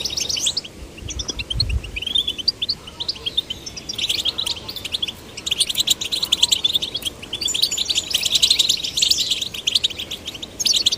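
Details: Goldfinch chicks of both sexes, stimulated to sing, begin with scattered tinkling notes and a low thump, then break into a long, rapid run of twittering chirps and trills.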